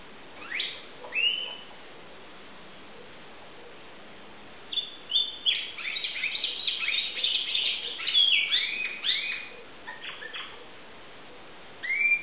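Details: Timbrado canary in Greece singing in scattered bursts: short swooping chirps early, then a busy run of rising and falling notes over background hiss.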